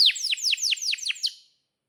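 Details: Canary in tutor song for young birds: a short burst of seven sharp, falling chirps, evenly spaced, fading out after a second and a half.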